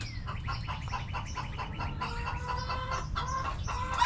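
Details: Hens in a backyard coop producing dense overlapping clucks and murmuring calls, several birds at once, with a thin descending whistle at the start and low rumbling background noise.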